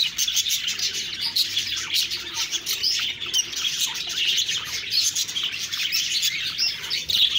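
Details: Lively budgerigar chatter: many quick high chirps and tinny warbled phrases run together in an unbroken flock sound.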